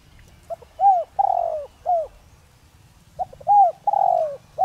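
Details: Spotted dove kept as a decoy bird to make wild doves call, a bird of the 'giọng đồng' voice type; two phrases of short low notes leading into arched, drawn-out hollow coos, the second phrase about two seconds after the first, with faint low rumble behind.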